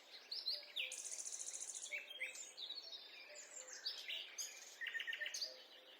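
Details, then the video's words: A mixed group of forest birds sings during a quiet walk, with a fast buzzy trill early on, high twittering and slurred whistles, and a pulsed chattering series near the end over soft low notes. "A peaceful walk in the forest accompanied by the sound of birds"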